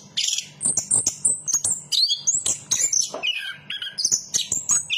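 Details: Anis kembang (Chestnut-capped thrush) singing rapid strings of very high whistles and chattering notes, evenly paced, with a soft low hum behind.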